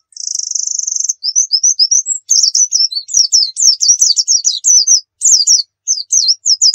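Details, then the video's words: Fast 'nembak' white-eye song meant as a lure, opening with a steady high buzzy trill about a second long, then a rapid string of thin, sharply slurred whistles and chattering downward sweeps. "Masteran Pleci Nembak"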